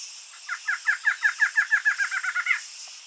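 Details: Song of a barred antshrike, a rapid series of roughly sixteen nasal, down-curled notes that quicken toward the end and finish in a higher, sharper flourish, set against a constant high insect hiss.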